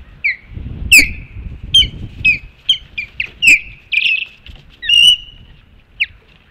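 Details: Ospreys at a Hog Island nest on 20 April 2016, reacting to an intruder: a loud series of sharp, high, whistled chirps, some falling and some level, repeated rapidly, with low rumbling background noise.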